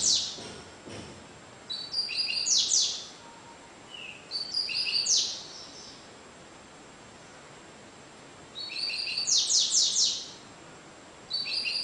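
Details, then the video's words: Double-collared seedeater (Sporophila caerulescens) singing, averaging 30 songs per minute: short, high, bright phrases of rapid chirps and trills, repeated every few seconds with pauses between, over a soft background hiss. "Coleirinho Cigano Sporophila caerulescens Coleiro Média de 30 cantos por minuto"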